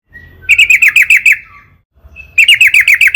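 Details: Sooty-headed bulbul (trucukan) singing long and persistently, used as a lure to make other trucukan sing: two bursts of rapid, evenly repeated sharp chirps, each burst about seven notes, with a thin whistle before the first.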